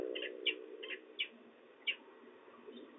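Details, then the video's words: Young peregrine falcon chittering at De Mortel, Netherlands, 31 March 2024, as the male arrives with prey: five short, sharp, high chips at irregular intervals over a steady low hum. "gechitter van jonge valk"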